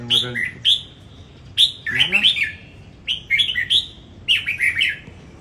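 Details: Red-whiskered bulbul singing in a competition in Đồng Nai, Vietnam, with lively whistled phrases of quick rising and falling notes in short bursts about once a second, and brief human speech in the background.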